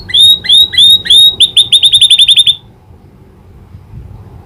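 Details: Canary taught to imitate a prinia's clicking call: a sequence of sharp high chirps, slow at first, then speeding into about a dozen rapid clipped notes before falling silent.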